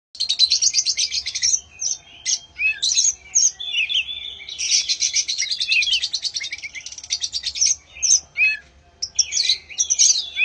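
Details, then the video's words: White-rumped shama song used to prompt other birds to sing: dense, rich run of high whistles, trills and buzzy notes in bursts with brief pauses. "Burung kacer pemancing suara yang lain"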